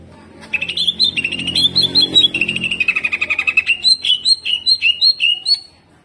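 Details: Greater green leafbird giving hyper jamtrok song full of harsh tembakan kasar phrases, used as a training model. A continuous fast stream of chattering notes runs into a clear run of evenly spaced, sharp rising-falling whistles.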